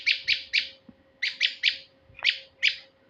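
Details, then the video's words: Male prinia call used for luring birds, here as loud, spaced chips in groups of three, then single notes, each note sharp and buzzy. A faint continuous hum is present. "pikat burung prenjak jantan"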